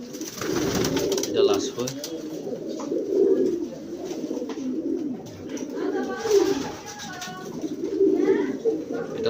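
Racing pigeons give low, throaty coos in swelling bouts every two to three seconds.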